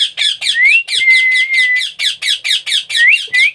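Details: Young parrot being hand-fed keeps up a continuous train of rough, rasping begging squawks. A steady thin whistle, rising at first and then level, sounds over the calls in the middle and again near the end.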